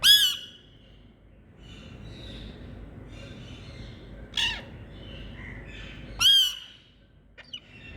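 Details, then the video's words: Indian green parrots giving loud, harsh screeching squawks, separated by pauses of a few seconds, with softer chattering and thin calls between them against a quiet background. "Indian Green🍃Parrots Calling✨️ Different Sounds🥀"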